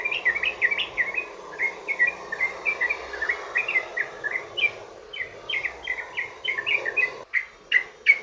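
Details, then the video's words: Sooty-headed bulbul (trucukan) in long 'ropel panjang' rapid song, used as a lure to get other bulbuls singing: a dense run of short bubbly whistled notes, several per second, with a brief break near the end, over a steady low hum. "trucukan ROPEL PANJANG buat pancingan burung trucukan agar bunyi"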